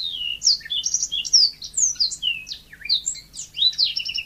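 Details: Continuous song of a yellow-fronted canary in a natural, energetic style: a flowing chain of high, slurred whistles rising and falling, with occasional quick chirps.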